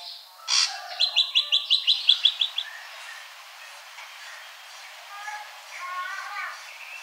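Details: Ashy drongo singing: a sharp burst, then a quick run of about ten bright, evenly repeated whistled notes over under two seconds, followed by fainter softer phrases against a quiet background hiss.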